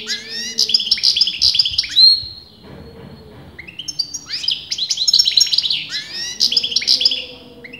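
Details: Continuous song from a European goldfinch that breeders disagree on sexing; bright, high-pitched tumbling twitters and rising slurred notes in two long bursts separated by a quieter gap of about a second.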